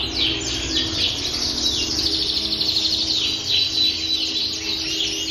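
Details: Frilled canary in full, lively song: a continuous, rapid warbling stream of high twittering trills and rolling notes with little pause, some notes sweeping downward, over a faint low hum.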